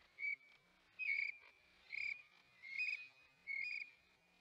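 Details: Osprey at the Hog Island nest, 25 May 2021: five short, quiet whistled chirps spaced under a second apart, each a thin, slightly rising note, with little else but faint background noise.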